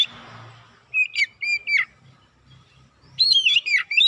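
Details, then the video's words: Oriental magpie-robin lure song to provoke birds, a few clear whistled notes with downward slurs after a soft noisy start, then a denser burst of bright phrases. "PANCINGAN KACER CEPAT KONSLET NGOTOT BONGKAR ISIAN"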